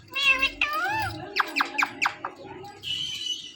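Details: Indian ringneck parakeet kept as a talking pet, giving voice-like harmonic syllables followed by a quick run of five or six sharp clipped notes, then a steady high tone.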